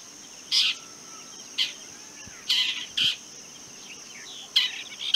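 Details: Long-tailed shrike, also called rufous-backed shrike (Lanius schach), giving harsh, scolding notes: five short, broad, rasping bursts spaced irregularly about a second apart over a steady high insect-like hiss.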